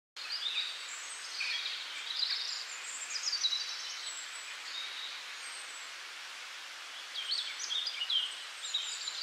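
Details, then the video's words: Several wild birds chirping in springtime: bursts of high, quick chirps and short warbled phrases overlap in clusters, fading for a moment midway before a fresh flurry returns, over a steady soft outdoor hiss. "Calming Nature Sounds of Birds In Springtime"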